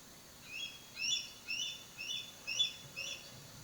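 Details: Eagle chick up in the nest on the Assabet River calling for its parents: thin, high, squeaky chirps repeated about twice a second, a baby version of the adult's scream, over faint background hiss.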